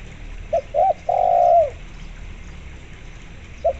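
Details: Spotted dove calling as a lure for zebra doves: a short note, a second swelling note, then a long, even, throaty coo tailing downward, followed by the start of another phrase after a pause.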